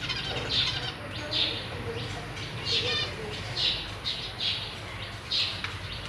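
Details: Zebra finch family in a cage, 1 May 2023: parents feeding newly hatched and juvenile young. Short, nasal, harmonic calls repeat about once a second in loose clusters against a low background hum.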